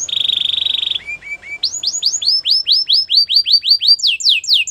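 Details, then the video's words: Pet canary delivering a high rolling trill, three short lower notes, then a long run of repeated downward-sweeping whistles that climb higher toward the end. "Your canary will sing immediately | Canary bird sounds at it best"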